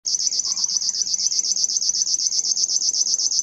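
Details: River warbler song recorded at Koewacht on 8 June 2021: a steady, insect-like run of dry, high, rasping pulses, about seven a second, with no other clear sounds.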